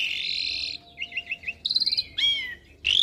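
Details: Asian pied starling song used as a master recording for young birds to copy: short whistled buzzy phrases around mid-high pitch, a trilled stutter, then harsh wideband notes, separated by brief pauses.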